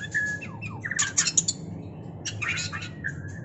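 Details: White-rumped shama singing in a mating context: rapid, varied whistles and chirps with sharp downslurs and bright high bursts, some short level whistled notes, over a steady low rumbling background hum.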